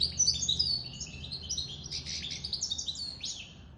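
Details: Goldfinch mule, a goldfinch × canary hybrid, said to be out of the moult, sings a fast twittering run of high chirps and short sweeping notes, with brief trills and warbled phrases throughout.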